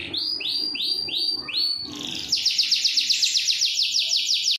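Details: Canary rolling song used for training and calling out lazy singers: a few spaced rising whistles, then a fast high trill of repeated notes that ends abruptly.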